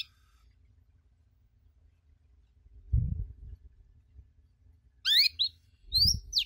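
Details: Canary 'cuit cuit' chirps, a master recording for young canaries learning the sound. After long near-silence broken by low thumps, a quick burst of high, sharply sweeping chirps comes near the end, then a second brief cluster.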